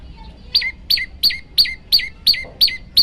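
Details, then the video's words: Olive-backed tailorbird, song variation for training birds: a short quiet lead-in, then eight loud, clipped notes that fall steeply in pitch, spaced roughly three a second. "masteran burung prenjak lumut variasi"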